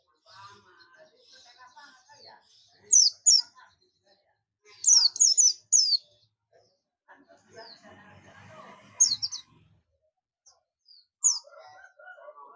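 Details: Buxtomi Oriental white-eye giving the ngalas companion call: clusters of two to four shrill, falling chirps amid steady chatter of people talking and scattered softer twitters.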